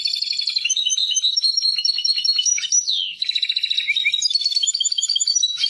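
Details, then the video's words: European goldfinch singing, described as a Persian goldfinch: a continuous liquid twitter of high tinkling notes and quick trills, a sliding slurred note near the middle, then more rapid chattering phrases to the end, clean and close. "Persian goldfinch songs اواز سهرهاي اروپاي"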